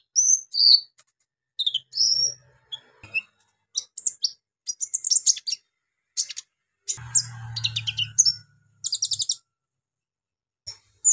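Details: Brown-throated sunbird in a long lively bout of coarse varied song used to agitate other sunbirds: quick high whistles, sliding notes, dense chip runs and buzzy trills, with a low hum partway through.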